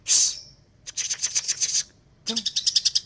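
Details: Greater green leafbird in full dense song: a sharp high shriek, then a quick run of about ten high ticking notes, a pause, and another rapid ticking series.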